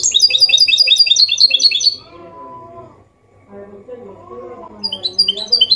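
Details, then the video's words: Goldfinch hybrid (mule) singing a clean Málaga-style copy, used to stimulate males to sing and chicks to memorise: two seconds of rapid, high twittering trills, a quiet pause with low murmuring, then the bright trills resume. "Mixto jilguero Limpio canto (copia malaga) Elegante / mule of goldfinch bird singing the best sounds"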